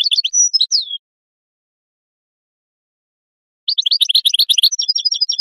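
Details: A European goldfinch sings to stimulate mating: a high warbling phrase ending in a downslurred whistle, silence, then busy tinkling twitters giving way to a row of thin, even chips.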